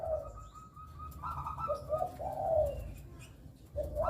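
A zebra dove sings soft, mellow cooing notes in a rolling, slightly trilled phrase that swells and pauses, over a low background rumble.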